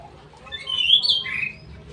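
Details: Straw-headed bulbul, a kept songbird, giving one loud bubbling, slurred warble phrase of rich liquid notes over about a second, falling at the end; faint low room hum underneath.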